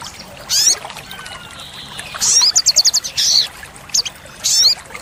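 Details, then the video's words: Olive-backed sunbird training song for caged birds: high twittering bursts with a brief run of five sharp, evenly spaced high notes in the middle, followed by further short chirping phrases. "Pancingan & Masteran sogok ontong (sogon) Full Isian Tembakan | Olive-backed Sunbird Bird sound"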